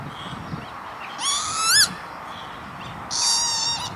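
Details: Lapwing (Vanellus vanellus) calling at an industrial estate by Veenendaal, Netherlands, late May 2013: two drawn-out, buzzy calls that swoop upward and then drop, with a faint hiss between them.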